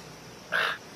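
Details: A Collared Aracari toucan gives one short, harsh, grating note about a quarter second long, set against a quiet background hiss.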